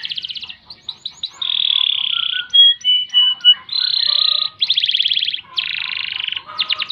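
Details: Canary singing a long, gacor-style song for training other birds: a varied run of fast buzzy trills, steady high whistled notes and rapid rattling rolls between sections, loud and clear with little background.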